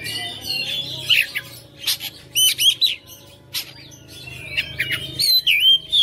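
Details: Caged Oriental magpie-robin singing persistently, showing off its song fillers: rapid clicking bursts and sharp whistles scattered throughout, ending in looping bright whistled phrases, with a low steady hum underneath.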